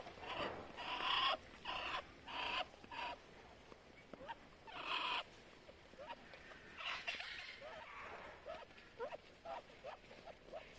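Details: Muscovy duck hissing in quick, breathy bursts, strongest early on, then softer and more scattered puffs toward the end.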